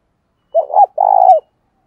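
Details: Spotted dove calling to stimulate decoy doves: a two-part coo, first a wavering rising-falling note, then a longer, slightly burry note ending with a downward slide, clean and close.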